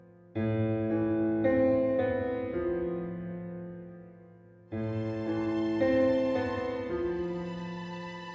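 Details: Slow, sad piano music plays in two swelling phrases, with no animal sounds heard.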